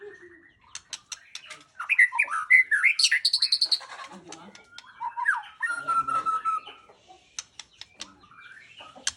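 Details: White-rumped shama song: a mix of sharp clicks and ticks, then a burst of rich warbling and whistled phrases, a long level whistle near the middle, and scattered chips toward the end.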